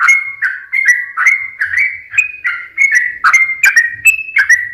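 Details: Sooty-headed bulbul song played to coax lazy or stressed birds into singing. A steady stream of short, mellow whistled notes, about two to three per second, alternating slightly higher and lower.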